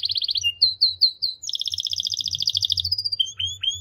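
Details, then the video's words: Canary song made of rapid pulsed trills and looping slurred notes, a long rolling high rattle, then a few sharply falling whistled notes. "The most Unique and Beautiful Canary Singing"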